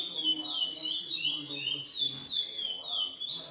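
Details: Short burst of song from a captive-bred GP x Coimbra lesser seed finch: bright whistled notes swooping down then up, several each second, with faint low background sounds.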